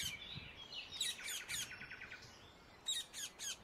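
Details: Wild Indian ringneck parakeet heard outdoors: a stuttering string of shrill, rasping high notes, a short lull, then three more sharp screeches in a quick row over background hiss.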